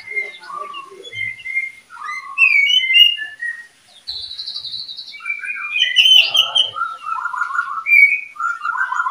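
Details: Varied whistled song from a breeding pair of oriental magpie-robins: short sweet phrases shifting between high and mid pitch, a brief buzzy trill near the middle, then lower warbled notes after a short pause.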